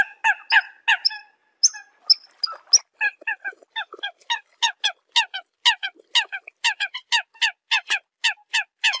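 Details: Eurasian coots call to gather the flock, with overlapping sharp notes at the start and then a long, quick sequence of short clipped calls repeated steadily to the end.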